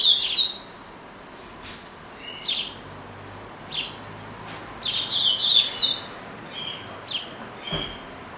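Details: Pet double-collared seedeater, said to keep singing even while being shown off, gives scattered high chirps and short whistled phrases every second or so, with a louder twittering burst around the middle.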